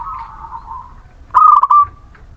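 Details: Local Muria zebra dove song, played as a lure to stir reluctant, lazy birds into singing: one loud burst of quick stuttered cooing notes ending in a drawn-out tone, with soft steady cooing beneath.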